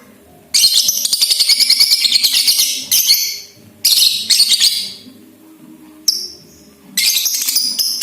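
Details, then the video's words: Balibu lovebird chatter used to get other lovebirds singing: long, high, rapid rattling trills lasting up to two and a half seconds, broken by short pauses and a brief squeaky note. "PANCINGAN LABET BALIBU AGAR CEPAT GACOR DAN NGEKEK RAJIN BUNYI"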